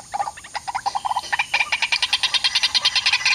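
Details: White-breasted waterhen arriving to disturb another waterhen facing a mirror trap while being lured: rapid repeated croaking notes, about two or three per second, speeding and rising into a denser harsh chorus.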